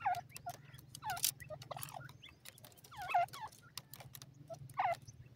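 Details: Sindhi tetar francolin chicks from Pakistan utter short clusters of falling, squeaky peeps roughly every two seconds, interspersed with dry clicks over a low droning hum.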